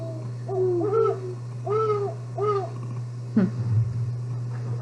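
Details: Great Horned Owl hoot, a night call, played back: four deep, mellow hoots over about two seconds over a steady electrical hum, ending with a click.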